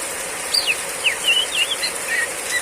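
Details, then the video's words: Oriental magpie-robin female during a downpour: a short run of clear whistled notes, some sliding down and others wavering, spaced closely and fading toward the end above the constant hiss of rain. "Terapi kacer betina riwik ngeplong saat hujan deras"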